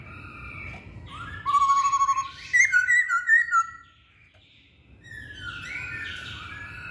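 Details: Masked laughingthrush delivers a loud, wavering whistle, then a quick string of bright, repeated, bouncing notes, followed by a quiet pause and softer, more distant-sounding whistles.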